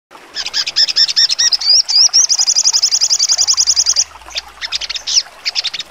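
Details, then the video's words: Sogon songbird singing a sharp, full trotol style: jumbled high chirps give way to rising slurred whistles, then a fast, even, very high trill lasting nearly two seconds, followed by scattered sharp notes. "sogon trotol full nembak tajam"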